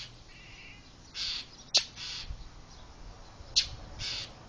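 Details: Birds harassing a cat near a house, one bird leading the chirping and dive attacks; scattered harsh rasping bursts with two sharp clicks, low background rumble throughout.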